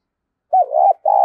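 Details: Spotted dove decoy call used to stir up other doves: a short hooting note rising into a sustained tone, then a second low coo that begins but is cut off abruptly with a click.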